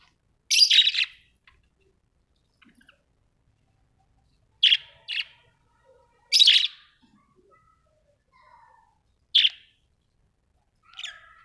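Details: Pet budgerigars kept at home give short, harsh, high chirps and squawks in scattered bursts, several close together, with long quiet gaps and faint softer chatter between.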